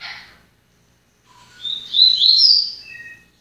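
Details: Seedeater, a kept individual, giving its song; a brief chirp, a pause, then a rising run of high fast twitters ending in two thin whistles.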